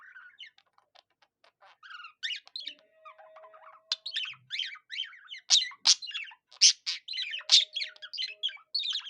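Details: Budgerigar singing in imitation of a cockatiel: soft scattered clicks and squeaks build into a lively, rapid warble of bright chirps and sharp buzzy notes, with a faint steady tone beneath.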